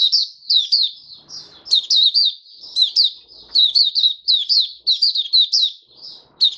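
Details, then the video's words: Oriental white-eye in a cage, on the fifth day after a monthly deworming, sings an almost continuous, high, lilting twitter. Slurred notes rise and fall in quick succession, with faint knocks in the background. "Mata Puteh Raja Video 1 buka sing"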